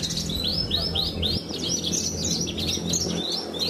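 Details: Caged pied Javan bush lark, a champion competition songbird, delivering a run of upslurred whistled notes repeated about every quarter second, then quicker twittering, over a low steady hum.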